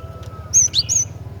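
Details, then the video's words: Female cinereous tit calling to males, a loud close burst of three or four very high, sharp chirps and a lower slurred note within one second, with a faint steady hum behind. "Kicauan Glatik Betina Gacor Dor"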